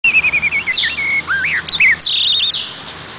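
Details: Oriental magpie-robin singing a lively, varied phrase of clear whistled notes, quick rising and falling slurs and buzzy high sweeps, delivered in rapid bursts with short gaps over three seconds.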